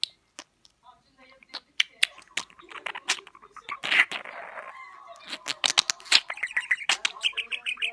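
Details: Pet budgerigar talking, scratchy imitated word-like chatter broken by sharp clicks, starting sparse then turning into busy continuous babble in the second half.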